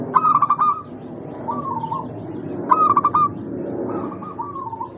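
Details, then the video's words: Local zebra dove song used as a lure to prompt lazy caged doves to sing: two loud bursts of rapid, stuttering cooed notes ending in a drawn coo, alternating with softer, smoother answering phrases from another dove over a low background hum. "Pancingan Burung Perkutut Lokal ampuh untuk mengatasi malas bunyi"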